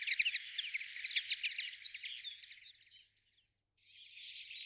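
A common linnet sings a fast, twittering run of varied chirps and trills, pauses briefly, then resumes with a softer, buzzy warble.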